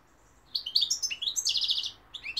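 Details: European goldfinch singing, described from London and Algeria: rapid twittering high phrases of liquid chirps and trills, a quick jumble of notes for about one and a half seconds after a short pause, then a brief resumed twitter.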